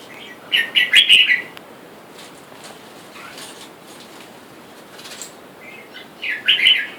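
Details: Wild-caught red-whiskered bulbul pair, male and female in a cage, with wild birds outside calling for mates; a burst of rapid chirping notes, a long quiet stretch with faint ticks, then another chirpy burst.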